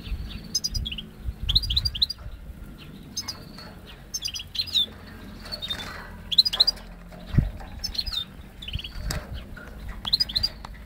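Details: Goldfinch x canary hybrid singing on Syros: short bursts of bright, twittering notes and quick upslurred whistles come in separate phrases about every second, with low rumbling background noise between them.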